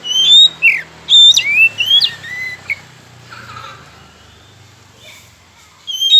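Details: Oriental magpie-robin song used as a lure to provoke silent rivals into singing: loud clear whistled phrases with rising and falling sweeps in the first three seconds, a quieter gap with faint low hum, then whistles resuming at the end.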